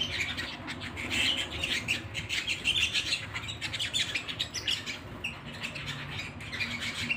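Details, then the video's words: Indoor canary singing: bright, high chirps delivered in quick bursts, with rapid repeated notes and short trills across the whole stretch, and some low background rumble. "canary singing at home"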